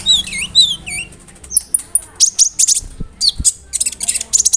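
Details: Konin bird singing a varied imitative song of cricket and bird sounds, meant as tutoring material for other songbirds; looping whistled phrases at first, then high thin notes and dense bursts of shrill chirps.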